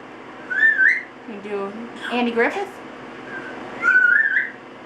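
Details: Eight-month-old male pet Double Yellow-headed Amazon singing and chatting in the shower after a spritz bath, trading song verses with its owner: two bright rising whistled phrases, separated by a lower, voice-like warbled passage in a small echoing room.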